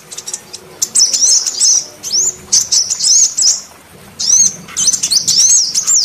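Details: Female sunbird luring males with its call: high, sweet twittering phrases made of quick rising and falling notes, delivered in three or four bursts with short silences between.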